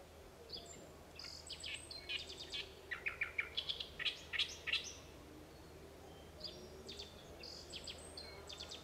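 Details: Great reed warbler (Acrocephalus arundinaceus), song.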